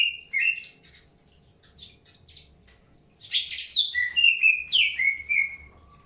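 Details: Caged greater green leafbirds being paired early; opening whistle, scattered soft high chips, then a loud burst of harsh and whistled notes followed by falling slurred whistles.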